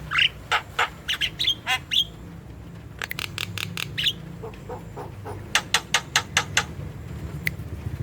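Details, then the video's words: Javan myna recording for prompting young, new or reluctant birds to call: harsh chattering notes and rising squeals, then runs of sharp broadband clicks over a low hum. "PANCINGAN JALAK KEBO MALAS BUNYI Jalak kebo gacor"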